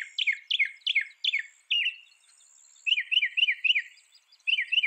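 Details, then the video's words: Northern mockingbird song: a slurred downward phrase repeated four times, a pause, then a different sharper phrase repeated several times in quick succession. "Northern Mockingbird Bird Sound Bird Song"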